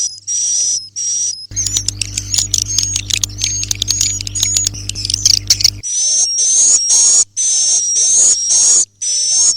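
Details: ['Swiftlet roosting call (walet inap): bursts of high, buzzy chirps with a thin whistle come at the start and again in a regular run at the end. Between them is a stretch of rapid clicking chatter over a humming drone.']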